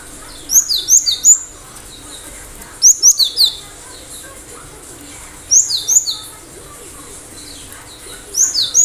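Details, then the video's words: Cinereous tit in full, lively song: four bursts of rapid, high, sharp down-slurred notes, each followed by lower buzzy notes, repeated about every two and a half seconds over faint background hum. "Gelatik batu gacor"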